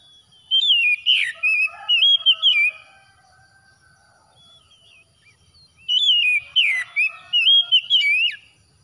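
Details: Oriental magpie-robin singing after dawn prayer time, used to restore stressed birds: two rich whistled bouts about three seconds apart, each a run of twisting, warbled notes with a few downward slurs and brief gaps between phrases.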